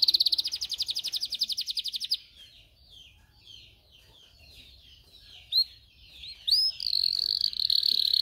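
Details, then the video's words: Training song of a canary: a fast rolling trill for two seconds, then soft scattered chirps, a few sharp upswept notes and a steady high warble. "Video for Canary training 25 m. Canary training 0.25 Hour canario canary song"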